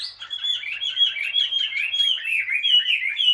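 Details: Caged Chinese hwamei, wild-caught and kept two years, delivers a rapid rolling run of clear whistled and warbled notes, fluid and unbroken, rising and falling in quick succession.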